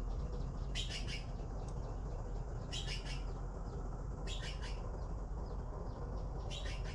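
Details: Young blue magpies in the nest, waiting to be fed, give short grating triple bursts roughly every one and a half seconds. A constant low hum runs underneath.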